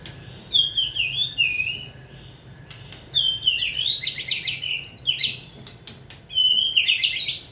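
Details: A training White-rumped shama, accustomed to human prompting, sings high, clear warbling phrases in three bursts separated by brief gaps, with sharp clicking notes between them.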